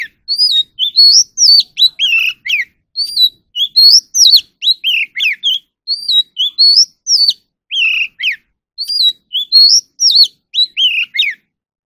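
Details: Oriental magpie-robin trained for competitive singing, delivering continuous loud whistled phrases for nearly twelve seconds. Looping upslurs and steep downslurs repeat in similar patterns, with crisp notes and brief breaths between.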